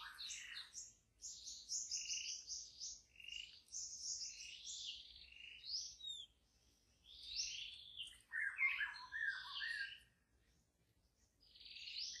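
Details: White-rumped shama in wild forest delivering long rich varied song of rapid chattering and whistled phrases, with pauses between bursts; faint low background rumble.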